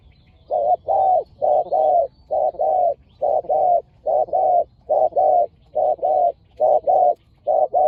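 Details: Aggressive spotted doves calling during decoy trapping in Thailand; an unbroken run of low husky coo pairs, short then long, repeated rhythmically about seventy times a minute.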